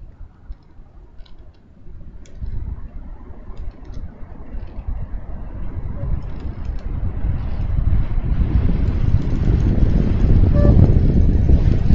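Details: Low rumbling noise, like wind or distant traffic, swells steadily louder with no animal calls.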